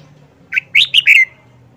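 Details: Red-whiskered bulbul, an old wild-caught bird kept caged for four months, showing its distinctive song phrases: one brisk phrase of a short opening note and three bright whistled notes, the last one sliding downward, over a faint low hum.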